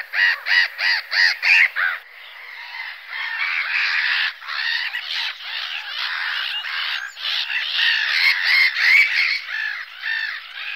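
Black-headed Gulls: six quick, harsh squawks in a row, then a continuous raucous chatter of many overlapping gull calls.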